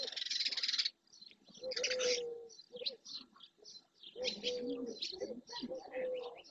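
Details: Dozens of barn swallows, many of them juveniles, gathering at the marsh edge in Doñana National Park, Andalusia, Spain, in early June; a dense wall of high chirping opens, followed by scattered twitters over low, steady tonal calls from other birds.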